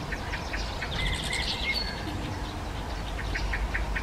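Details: Hawfinch in a garden giving short, clipped tick notes in an irregular series, with a few thin whistled notes and a steady low hum in the background.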